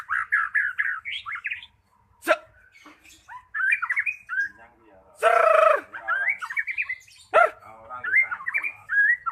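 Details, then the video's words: Magpie-robin song played as a lure to restart a bird that has gone quiet. Rapid whistled notes open the clip, broken by sharp harsh bursts, a long grating rasp midway, then rising whistles and chatter. "Pancingan Burung Murai Macet Jadi Gacor"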